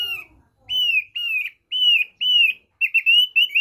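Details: Basic song (kicau dasar) of a thick-billed white-eye from East Nusa Tenggara: six or seven separate, high, slightly falling whistled notes with short gaps between them, ending in a quicker double note. The background is quiet.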